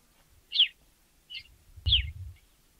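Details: African sparrow calling with brief, bright chirps, one loud, one softer, then another loud note, accompanied by a low knocking thud near the last chirp.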